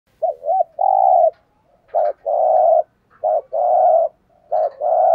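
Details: Spotted dove decoy cooing meant to provoke other males: mellow phrases of two short hooting notes followed by a long, steady coo, repeated about every one and a half seconds. Background is quiet.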